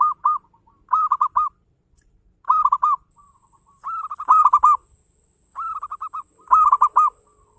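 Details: Zebra dove of the local type singing eagerly in fast ngayer engkel style as a lure for other birds: short clusters of three to six rapid, bouncy coos separated by silent gaps, with occasional sharp clicks.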